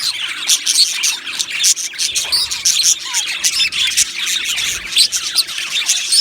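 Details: Many budgerigars kept in an aviary, a busy wall of high chirps, sharp clicks and warbled notes, with a few clearer descending whistled slurs standing out from the chatter.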